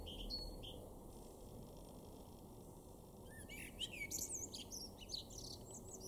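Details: Male common blackbird singing in an April 2024 garden in Weener, East Frisia, northwest Germany: a quiet start, then a fluted low phrase breaking into a fast, high, jumbled twitter, over low rumble.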